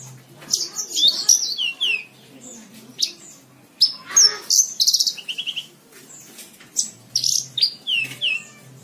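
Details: Tutor song of a Javan bush lark for cage-bird training: varied high notes, downslurred whistles and a quick stuttering trill mid-phrase, with a breathy noisy burst and gaps between phrases.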